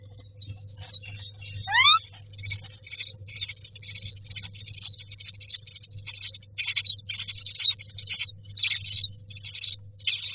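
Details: Myna babies in their nest box begging for food: after a thin rising squeal, loud continuous high, grating wheezes with brief gaps, sustained and intense throughout.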